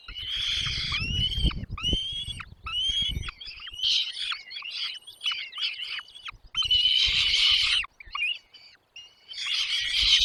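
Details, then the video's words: Nest of chicks being fed by both parents: sharp chirps and rasping begging notes. The first part has low rustling beneath, followed by two more intense hissing bursts near the end. "mom dad birds brings food to feed their chicks in the nest"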